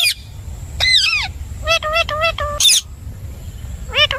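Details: Ringneck parrot in a short talking bout: several short, wavering voice-like syllables in quick groups, each with rich harmonics, plus one brief harsh burst.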